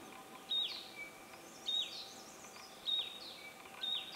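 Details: Hill prinia in Thailand giving short, sharp high "pee" notes about once a second, with a faint lower tone between them over a soft hiss of background noise.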